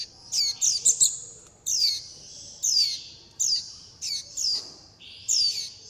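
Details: Juvenile warbling white-eyes call to their mother and flock while begging for food; high-pitched downslurred squeaks come in quick clusters, then single notes repeated roughly once a second.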